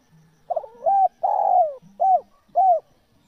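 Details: Spotted dove, locally called tekukur, cooing in a recording used to lure wild doves. After a quick stuttered opening come a short coo, then a long, downward-sliding coo, then two short arched coos, all mellow and low. A faint low hum sits underneath.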